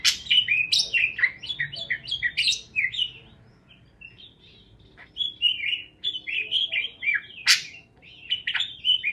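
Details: Parakeet chirping, a busy opening run of warbled twitters, then a quieter spell of thin notes before the chatter and one sharp squeak return.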